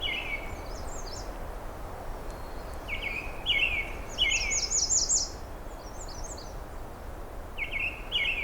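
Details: American Redstart singing on a June afternoon in 2022 along a little-used riverside trail at Pine Tree Point, with a robin nearby: bright, high, thin notes in quick bursts of short slurred phrases, repeated every second or two over a low background hum.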